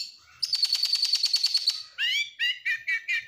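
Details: Oriental magpie-robin in stressed song to make other birds sing: a rapid, even trill of high whistled notes, then five loud, rising, nasal whistles.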